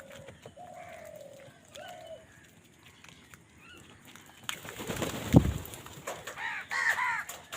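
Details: Crows competing for food: soft whistled notes, then a heavy thump and rustle, followed by a loud, grating caw.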